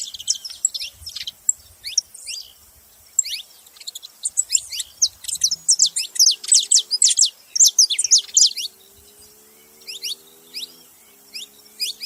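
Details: Saffron finch chirping busily, with high, steeply rising notes that build from scattered phrases into a fast, loud, almost continuous chatter near the middle. The notes then thin out again toward the end.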